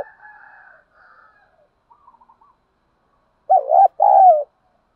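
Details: Spotted dove lure recording used to stimulate and train captive doves; faint, soft murmuring notes at first, then two loud, mellow, wavering coos close together near the end.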